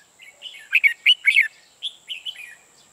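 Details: Red-whiskered bulbul kept as a trapping decoy sings a fast series of loud, bright whistled and chattering notes followed by softer slurred warbles, all within three seconds, over a steady faint high-pitched hum.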